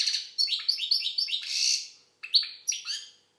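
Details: European goldfinch, Algerian type, singing clear sharp chirps in quick succession leading into a buzzy trill, then a pause and a few more twittering notes.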